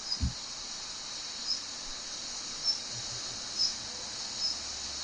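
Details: Commonly heard call of a female Daurian redstart: a single thin, high whistled note repeated about once a second, nearly buried in a constant loud hiss, with an occasional soft low thud.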